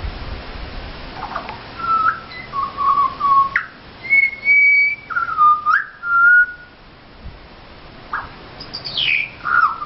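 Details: Pied Butcherbirds, native birds visiting a garden near Mt Gravatt to ask for food, singing for their dinner: clear, flute-like whistled phrases, some held and some sliding up or down, in short bursts separated by brief pauses.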